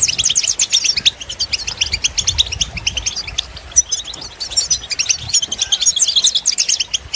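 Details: Rapid goldfinch twitter, played for listening and for training birds. Dense bursts of high chirps and tinkling trills follow one another almost continuously, and the pace eases briefly mid-phrase before quickening again.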